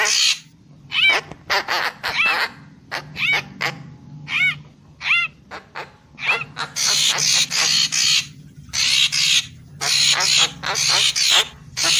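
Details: Lively lure song of a Papuan magpie-robin: short arched nasal notes repeated irregularly, about one per second, then a run of rasping, hissy bursts in the second half.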